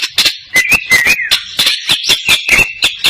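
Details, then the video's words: Greater green leafbird, crest raised, singing hard with cililin material: smooth slurred whistles rising and falling, broken by loud sharp clicks about every quarter second. "SUARA BURUNG CUCAK IJO ISIAN CILILINAN NGENTROK JAMBUL GACOR"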